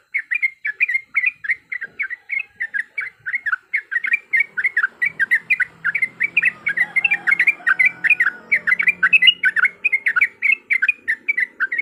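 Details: Long run of quick gurgling yellow-vented bulbul notes, several per second, used as a lure to start fighting song, with faint low background sounds midway.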